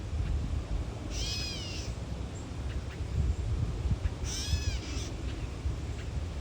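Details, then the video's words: Catbird protecting its nest on a boardwalk, tail fanned, giving two nasal, cat-like mewing calls about three seconds apart, each a slurred downward-arching whine, over steady low background rumble. "Catbird protects nest - puts on show"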